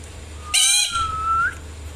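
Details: Indian ringneck parrot giving a single call: a harsh, squawky onset that runs into a long, steady whistled tone lasting about a second, lifting slightly at the very end, with low room hum beneath.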